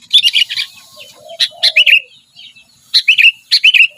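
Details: Sooty-headed bulbul (kutilang) singing persistently: bursts of quick, bubbly, chirping notes with short upward-curving whistles, in two clusters separated by a pause; a faint low, soft downslurred sound in between.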